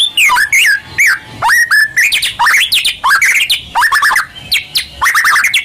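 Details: Loud, varied song of a white-rumped shama (murai batu), a kept songbird, played as a lure to get other birds singing. Bright whistled phrases mix with harsh, scratchy chatter in quick, uneven bursts.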